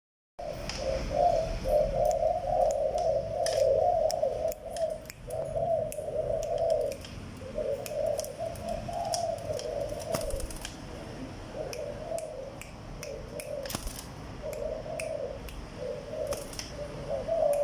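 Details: A Malaysian-line spotted dove (Spilopelia chinensis) coos in low, mellow, rolling phrases, repeated almost without pause.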